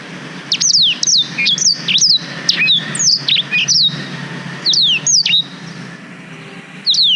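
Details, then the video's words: Black-throated canary song used to tutor canaries, recorded with a GoPro Hero 5: lively strings of crisp, high whistles, mostly falling in pitch, some hooked and twisting, pouring out in several closely spaced phrases. "Suara Blackthroat Durasi Panjang Untuk Masteran Kenari"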